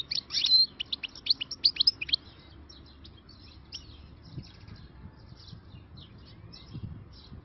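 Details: Wild-caught European goldfinch giving a loud burst of bright twittering notes in the first two seconds, followed by quieter, scattered chirps against low background rumble and occasional thumps.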